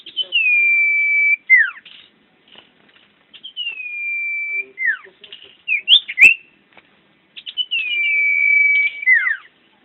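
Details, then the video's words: Common iora, a champion bird singing actively: long, level drawn-out whistles, each ending in a quick downward slur, repeated about three times with short chirps between and one sharp click. "Burung Cipoh Jawara Gacor"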